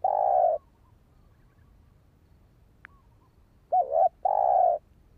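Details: Spotted dove cooing, played to lure and train a decoy bird: a mellow, low coo, then silence, then a short wavering double note and another steady coo near the end.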